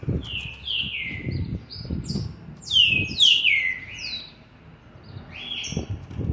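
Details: Seven-month-old green-winged saltator (plus 20 days), recorded 13/11/2020, delivering descending whistled notes, a loud cluster of ringing downslurs near the middle, then softer whistles, over low thudding background noise.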